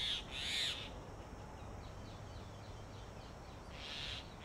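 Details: Grey Hornbills at a sealed tree-hollow nest in Delhi, where the male feeds the incubating female in summer heat. Two harsh, shrill squeals are heard, one at the start and another near the end, separated by faint chattering.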